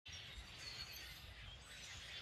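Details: A large flock of common grackles moving through Southern Maine in spring migration gives a dense, unbroken wash of squeaky, creaking chatter, with a low rumble of background noise beneath.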